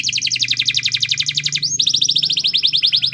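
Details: Canary song to encourage a silent canary to sing: fast double-noted trill for about two seconds, a brief upslurred whistle, then another rapid trill, low hum underneath.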